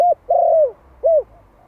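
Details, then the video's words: Spotted dove of the Malai type, a one-year-old male decoy from Vietnam, calling to provoke wild birds. A brief coo, a long level-then-falling coo, and a clipped final hoot, all clean and mellow. "Tiếng chim cu gáy Malai kích bổi - Thanh niên Malai 1 năm tuổi gáy gọi nghe giọng quá phê."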